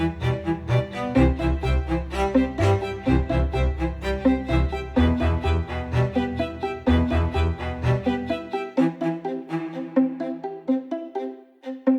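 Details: Bowed strings, violin over cello and bass, play a flowing classical passage; no animal voices are heard.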